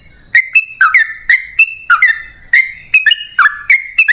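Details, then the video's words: Sooty-headed bulbul singing a long, rapid-fire song used as a lure to draw wild bulbuls into answering. Short whistled notes, each with a sharp click at the start, alternate between lower dipping phrases and higher flat ones, roughly three or four per second. "Pancingan Trucukan"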